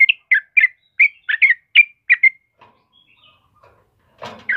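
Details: Yellow-vented bulbul of the kebo type, lively song for luring and tutoring caged birds: about two seconds of quick bubbly chirped notes, then near silence broken by a short rustling noise and a final chirp.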